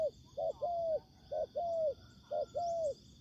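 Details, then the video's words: Decoy spotted dove in a ground trap facing a wild rival. Three clear two-part coos: a short hooted note, then a longer smooth coo that dips at the end. A constant shrill insect buzz sits in the background. "Bẫy cu gáy mồi đất : Tuyển tập Mồi cùi bắp gặp Bổi trận của năm"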